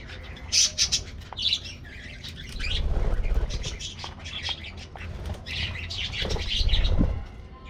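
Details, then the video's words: Colorful aviary budgies receiving a morning treat: loud high chirps in short bursts, then a stretch of mixed warbling chatter from a group, with rumbling low noise underneath. "Routine Lifestyles Of Colorful Budgies Getting Morning Diet Treat"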